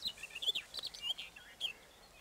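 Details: Barred warbler recorded at Erdőhorváti near Tokaj in Zemplén, Hungary, early May 2013, on a Canon EOS 7D: a quick scratchy warbling phrase of varied chattering notes lasting under two seconds, then quiet background.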